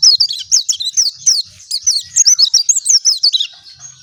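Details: Continuous bright, high-pitched twittering from an oriental white-eye (pleci dakun): quick looping chirps run almost without a break for three and a half seconds, with faint low thumps beneath.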